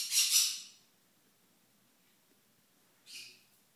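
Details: Green-cheeked conure, a small parrot, letting out one loud harsh shriek lasting about half a second, then quiet before a shorter, fainter scratchy call near the end.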